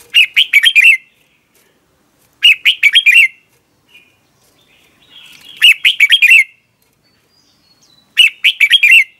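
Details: Morning song of a red-whiskered bulbul, recorded for training birds and as a lure: a short, quick stuttering phrase of bright notes repeated about every three seconds in a quiet background.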